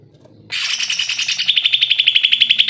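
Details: Singing greater green leafbird, offered as a tutor for lazy-to-sing birds: a rich harmonic phrase opening the clip, running into a fast, steady string of high, sharp repeated notes.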